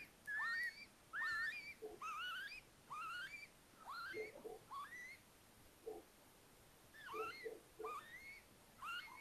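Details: In an attic nest at Tiszalök, Hungary, near Hortobágy National Park, Little owls with four owlets in May after hatching give clear, rising, whistled calls, repeated about once a second, over a few soft low notes.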